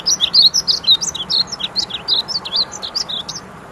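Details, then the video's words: Male painted bunting singing at Wichita Mountains Wildlife Refuge, Oklahoma: a bright, high, tumbling warble of quick varied notes, running continuously for about three seconds. "painted bunting bird call"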